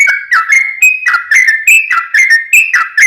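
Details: Yellow-vented bulbul in lively lure song to provoke others: bright, bubbling whistled notes slurring down then up, about four per second, clear and close with no other sounds.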